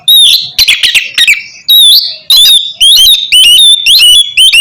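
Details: Loud song of an oriental magpie-robin used to coax a sluggish kept bird into singing: harsh buzzy notes then bright whistled phrases, repeated rapidly about twice a second with short pauses.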